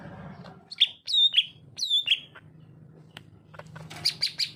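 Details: Greater green leafbird singing in narung style: loud, clear whistled notes that slur downward, given in short bursts, then a quick run of sharp repeated chips at the end, over a faint low hum.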